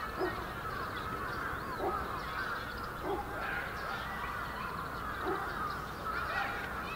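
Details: Bramblings massed in a large winter flock at Yoyogi Park, Japan, in February 2019, producing a steady wall of mingled chirping notes, broken about every second and a half by a short lower call.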